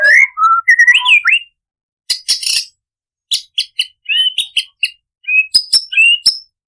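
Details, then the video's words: Imported white-rumped shama in full, rich song used as a lure to get other shamas singing, loaded with mimicked greater coucal phrases: low whistled notes around the opening, then bursts of sharp high chirps and rapid clicks separated by short pauses. "MURAI BATU iIMPORT GACOR ~ FULL MATERI MEWAH - PANCINGAN MURAI AGAR BUNYI - MASTERAN MURAI"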